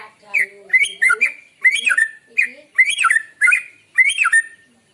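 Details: White-rumped shama, morning song used for luring birds: repeated loud phrases of slurred whistles and harsh buzzy notes, about one every 0.7 seconds, with a few faint lower tones near the start.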